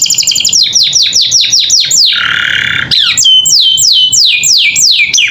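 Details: Persistent canary song offered as a model for other captive birds to learn: rapid down-slurred whistles, a rough buzzy phrase in the middle, then slower, spaced sweeping notes.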